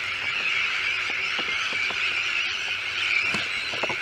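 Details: Sandwich terns at a breeding colony with chicks on a newly built shell island in De Putten, near Schiermonnikoog, Netherlands. A dense, continuous chorus of harsh, grating calls forms a steady din, with scattered sharper notes throughout.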